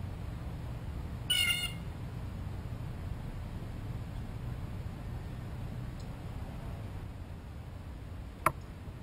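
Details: A blue jay very near the microphone while after a peanut gives one harsh, harmonic call early on, followed by quiet and a single sharp click near the end.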